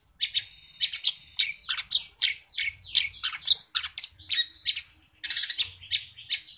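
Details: Long-tailed shrike delivering a continuous run of sparrow-like chirps, scratchy downslurred notes and brief thin whistles, steady and busy throughout.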